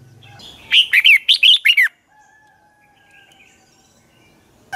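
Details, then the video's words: Red-whiskered bulbul singing its dueling song as a lure bird: one fast phrase of six ringing, falling whistled notes, followed by near silence with a faint steady tone. "chào mào hót đấu"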